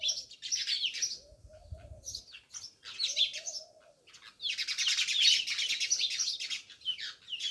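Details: Many house sparrows living near a village house in Jamnagar, chirping in dense overlapping bursts of bright, high notes, with brief quieter pauses and faint lower cooing in between.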